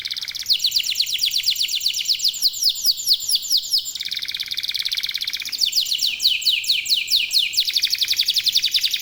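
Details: Continuous lively song of a local domestic canary, played to spur other birds to sing: shrill rolling trills of quick repeated sweeps, shifting between faster and slower phrases over nine seconds.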